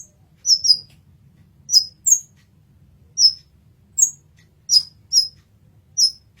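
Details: On a masteran training recording, a brown-throated sunbird gives sharp, very high chirps, mostly singly or in close pairs, spaced about half a second to a second apart, over a faint low hum.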